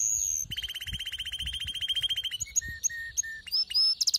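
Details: Canary singing a lyrical, ferocious song: a long rapid trill of evenly repeated notes, then varied whistled phrases with sharp rising and falling notes and a final bright twitter.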